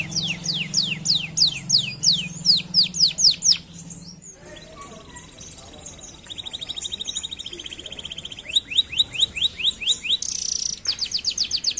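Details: Singing canary meant to stir lazy canaries into song: quick high slurred whistles over a low hum, a short pause, then a dry buzzy rolling trill and renewed bursts of rapid descending notes.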